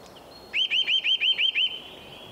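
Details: A Eurasian Nuthatch, during nest-building, sings a quick run of seven loud, high whistled notes, about six per second, ending in a drawn-out whistle; faint background hiss.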